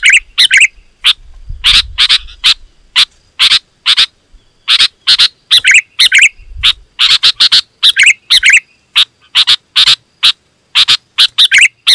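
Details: Dense, loud sooty-headed bulbul singing, used to make wild bulbuls agitated and approach: a steady stream of sharp chirps, roughly two per second, with occasional warbled flourishes and faint low rumble.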